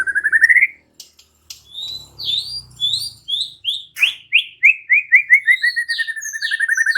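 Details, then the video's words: Gacor white-rumped shama unloading its song repertoire in reply to shama song: rising trilled notes, then clear upslurred whistles that give way to a fast, steadily repeated note series, with faint background hum. "murai batu NYAUT GACOR dan BONGKAR Muatan dengan Kicau murai ini"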